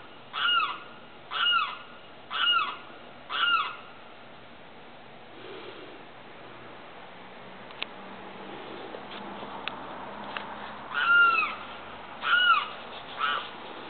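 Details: Limpkin heard at night: a run of four loud, down-slurred wailing cries about a second apart, a quieter stretch with a few faint clicks and ticks, then three more wailing calls.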